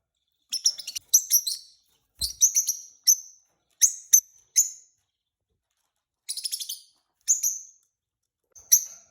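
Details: A pet pair of peach-faced lovebirds chirping: shrill, high-pitched notes in quick clusters of two to four, with bursts returning every second or so and brief pauses between groups.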